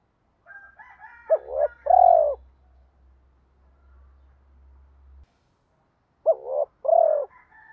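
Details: Spotted dove cooing meant to goad other doves into calling. Two mellow two-part coo phrases with a higher, rougher call before the first, and a low steady hum running underneath for several seconds.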